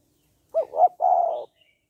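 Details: One coo phrase from a spotted dove, 'hạp bổi' voice used to stimulate males to call quickly: two quick soft notes and a held, slightly buzzy final note, followed by a faint distant chirp.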